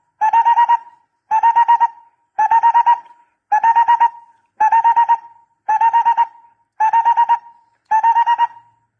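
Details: Barbet calls from a recording meant for luring birds with a decoy: clean, hollow, rapidly pulsed bursts of about five quick notes, repeated roughly once a second in a steady series, with a quiet background.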